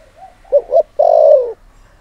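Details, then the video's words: Single lure phrase from a spotted dove used to provoke males: a soft lead-in, two short hollow coos, then one long, steady, slowly falling croon lasting about half a second. "Cu Gáy Mồi Thúc || Gáy Gọi Kích Bổi Mới Nhất"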